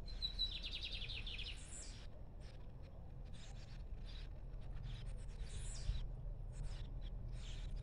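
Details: Free-flying lined seedeater song: a fast series of about ten sharp high notes in the first second, then brief, separated phrases of high chirps against constant low-pitched environmental noise.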